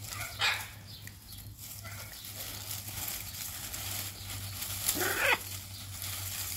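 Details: Hyacinth macaws, a pair playing together, give two harsh, broadband squawks, one near the start and another about four and a half seconds later, over a steady low hum and soft background murmur.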